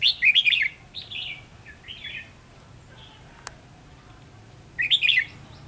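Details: Red-whiskered bulbul serving as a trapping decoy, 7 November 2016: a loud bubbling whistled phrase, softer follow-up notes, a single sharp click, then another bright warbled burst near the end.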